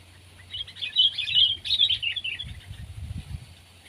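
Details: Sooty-headed bulbul (kutilang), pet or wild: a short bubbly phrase of rapid, slurred high notes peaking in the middle, with some low rumbling noise near the end.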